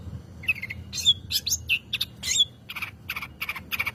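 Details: Long-tailed shrike lure song meant to prompt other birds to sing. Opens with clear whistled upslurs and thin squeaky notes, then shifts to harsh, buzzy repeated bursts about every quarter second; faint low hum throughout.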